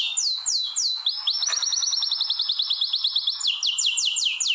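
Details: In a canary breeding room set up for mating, one bird delivers rolling trills: a few swooping falling notes, a long fast train of repeated high notes, then slower looping downslurs.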